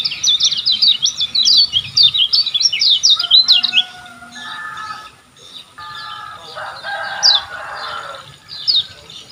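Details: Olive-backed sunbird song used for training caged birds: a rapid burst of high, sharp twittering notes for nearly four seconds, followed by lower buzzy and tonal sounds and a few isolated high chirps.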